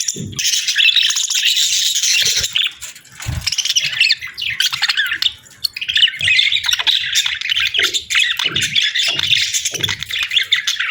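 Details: A budgie pair in breeding season chatters in long raspy warbled runs with squawky notes, broken by a short lull around five seconds, then continuing densely.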